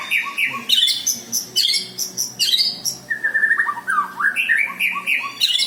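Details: White-rumped shama, or murai batu, singing with mimicked lovebird and prinia calls: continuous varied whistles and harsh chips, then a run of rapid descending whistled notes repeated about once per second.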